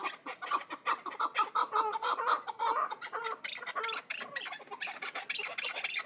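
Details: Hybrid chukar partridge giving fast, repeated chuck notes, loud and rhythmic in the first half, then looser overlapping clucks with some background chatter.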